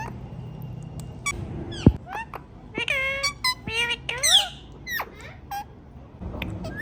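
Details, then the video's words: Pet Indian ringneck parrot producing varied squawks and slurred harmonic notes, some rising and some falling, scattered irregularly with short pauses, over a low indoor rumble. "Talking Parrot Making Natural Sounds"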